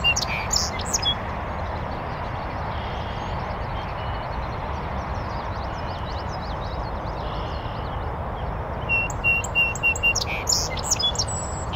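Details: North American Song Sparrow singing from a bush on a northern USA oak savanna beside a beaver pond; brief bright high notes open, then near the end a sweet phrase with sharp notes and a quick trill, all over a steady loud rushing noise.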